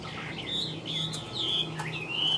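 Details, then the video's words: Chinese hwamei kept caged and tame, giving a few drawn-out high whistles that bend up and down, over a low background hum. "Siêu mỏ ra giọng rất đều - Họa mi đẹp hót hay"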